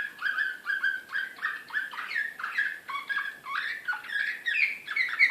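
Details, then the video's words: Excited Serbian Slavujar canary, recorded in Belgrade in 2016, delivering a steady series of rolling warbled phrases about twice a second, each a mid-pitched note with falling tails, ending in sharper high chirps. "SLAVUJAR SRPSKI"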